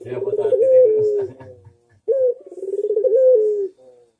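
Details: Two manggung coos from a Barbary dove (puter) on a training master: each a sharp opening note followed by a throbbing rolled coo that drops into a steady falling tail, with a low rumble under the first.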